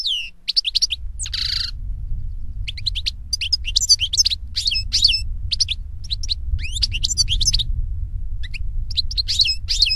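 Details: European goldfinch singing in nature: rapid, bright twittering of short high chirps and trills in quick bursts, with a brief buzzy note early on, over a steady low rumble of background noise.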